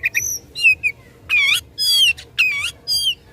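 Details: Oriental magpie-robin in full, lively fighting song meant to provoke rivals: loud, clear whistled phrases with buzzy, harmonic-rich notes, rising and falling slurs, delivered in bursts about twice a second with short pauses between.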